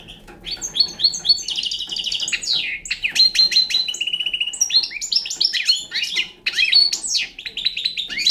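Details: Song of a young European goldfinch described as Balkan: a fast, continuous stream of high tinkling twitters, buzzy trills and short clear whistles, with brief pauses between phrases over eight seconds.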